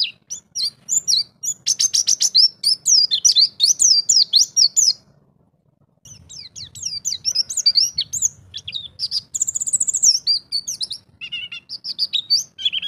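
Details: White-eye (pleci), a champion competition songbird, pouring out its learned repertoire in 'ngalas bongkar isian' style: a long, fast run of high, varied chirps and trills, a brief break, then more rapid warbling phrases.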